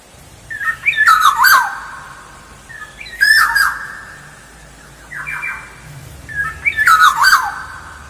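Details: Lure recording of a lively black-naped oriole: four fluty whistled phrases roughly two seconds apart. Each mixes liquid, warbling notes with harsh nasal squawks.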